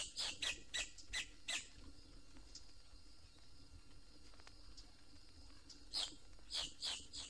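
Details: Boat-tailed Grackle in Florida's watery places, which accompanies its calls with fluffing feathers and fluttering wings: a burst of harsh, crackling, broadband notes about three times a second, a pause with faint high whistles, then another crackling series.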